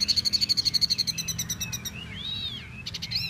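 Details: Tieu mi bird opening with a rapid, even trill of high ticking notes for about a second, followed by thin arching whistles and a few quick chips, set against a low hum.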